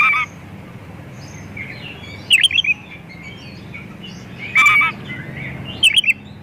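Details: White-rumped shama singing a full, varied song used as a lure to get other shamas singing: short whistled notes and clipped chirps in separate bursts a couple of seconds apart over a low steady background hum.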